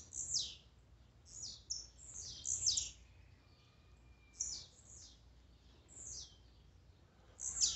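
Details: Esquente of Blue-black grassquit songs and male calls: quick high buzzy bursts dropping in pitch, some doubled or tripled in close succession, with a faint thin whistle in between.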